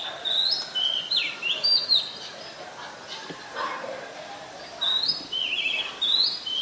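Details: Singing Oriental magpie-robin in Ubon Ratchathani, Thailand, 18 April 2022, filmed with a Nikon P1000: bursts of high whistled and warbled notes, a short pause, then another bright phrase of slides.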